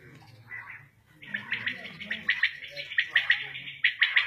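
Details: Common quail (batair) recorded in a Shahbazkhel village during hunting: after a soft start, sharp three-note phrases repeat about every seven tenths of a second, with faint low murmuring behind.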